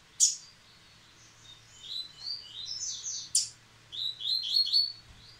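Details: Yellow-bellied seedeater singing again after its moult, giving high, fast phrases of slurred whistled notes and buzzy trills, broken by a short pause and then resumed, with sharp chip notes at the start of each burst.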